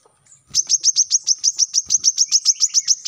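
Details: After a short quiet start, a brown-throated sunbird launches into an unbroken volley of about sixteen sharp, high chirps in fast steady rhythm, a dense-shot song meant to teach captive birds.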